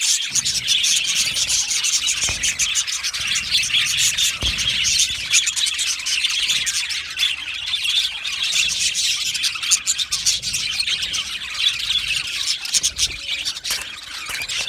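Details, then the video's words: Australian budgies chattering as a colony in an aviary, a long unbroken stream of high warbling, squeaky chirps and occasional harsher squawks from many birds, with a few faint low thumps. "Budgie singing and chirping sounds"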